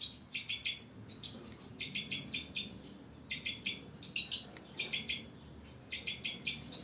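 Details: White-winged (two-barred) crossbill, a captive breeding pair with young, giving high, dry chip notes in quick bursts of three or four, about once a second, over a faint low rumble.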